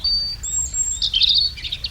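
European robin song: high, thin, sweet whistled notes with quick liquid trills, rising and falling in a short, fluid phrase.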